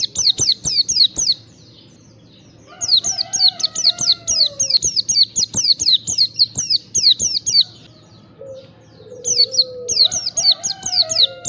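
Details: White-eye song used as a lure call to get white-eyes singing: rapid bursts of high, sweet twittering notes, about two per second, broken by brief pauses, with lower slurred whistles faint beneath.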